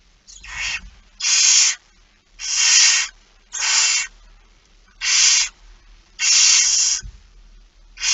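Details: Barn owl begging at feeding, recorded 06:57 on 13 September 2019 in the Netherlands: seven loud rasping hisses about half a second long, repeated steadily, with soft low knocks at the start and near the end.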